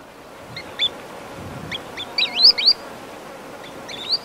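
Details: A green sandpiper gives flight calls and partial song at Nazana Pool: sharp, high, ringing whistled notes in quick bursts of two or three, over a windy hiss with insects.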